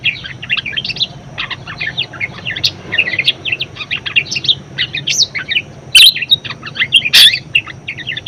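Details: Chatty budgerigar song meant for teaching other birds to sing: continuous high twittering warble mixing buzzy, squeaky and whistled notes, with two loud sharp clicks late on.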